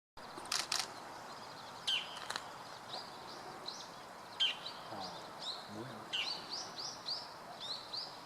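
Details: Bull-headed shrike calling: short sharp high chirps and rising notes repeated irregularly over eight seconds, with steady background noise throughout.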